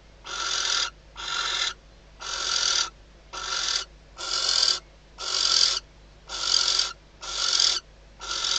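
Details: Nesting female barn owl in the Riet Vell reserve, Ebro Delta, Spain, calling to her mate at night shortly before hatching, leading to mating; broad raspy hissed bursts, each under a second, repeated steadily about once per second, nine bursts.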